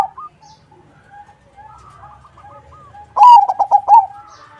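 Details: Crossbred zebra dove singing actively, used as a lure so other zebra doves answer: one loud burst of rapid, throaty rolling coos in the last second. Quieter coos and chirps from other birds run through the first three seconds.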